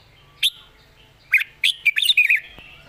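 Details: Red-whiskered bulbul from Thailand, a young rising-star bird praised for good phrasing and a light voice, sings one short clear note, then a quick bright burst of warbled, whistled notes about a second later, over a quiet background.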